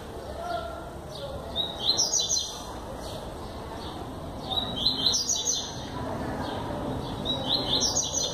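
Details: In João Pessoa, Paraíba, Brazil, 21 September 2017, a yellow-bellied seedeater sings persistently, delivering bursts of high twittering, trilled phrases about every three seconds over steady low background noise.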